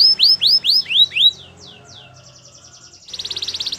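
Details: Canary song meant for training other canaries: five loud looping downslurred whistles, a quieter pause with faint notes, then a fast buzzy rattling trill.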